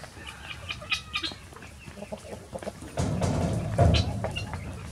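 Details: Several chickens rushing out of their coop in the morning to go free ranging; quick, short clucks and squawks in an irregular burst, then a loud low rumbling noise covers the calls from midway on.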